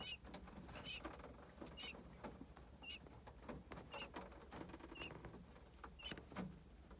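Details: Nine early-hatched quail chicks, all apparently healthy, give thin, high peeps about once a second, each a short clear note, over soft rustling and pattering underfoot.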